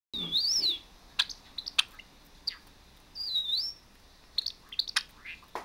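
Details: Pet Java sparrow calling while a recording of a singing Java sparrow plays on an iPhone: a high, wavering whistled phrase rising and falling, repeated twice, amid sharp, clicky chirps and short high notes.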